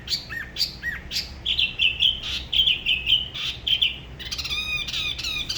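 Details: Spot-throated babbler from Da Lat at the La Ba river sings rounded whistled notes, some looping, then a run of steady clear notes and a harsher harmonic call at the end.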